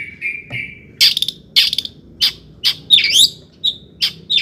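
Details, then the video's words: Long-tailed shrike song for provoking shrikes: a thin drawn-out whistle first, then loud harsh notes spaced about half a second apart, one with a twisting mid-phrase flourish. "kicau CENDET GACOR paling DI CARI cocok UNTUK PANCINGAN CENDET AGAR NAIK EMOSI"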